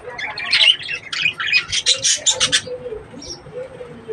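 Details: Budgerigars kept for breeding: rapid high chirps and warbled chatter, bursts packed densely over the first two and a half seconds, then quieter scattered notes over low background hum.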